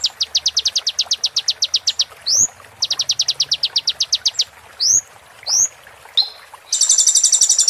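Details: Olive-backed sunbird (konin) training song of the full-fill 'roll tembak' style, played to caged birds during moult: fast high trills of repeated ticks interrupted by upward-swept whistles, ending in a dense buzzy rattle.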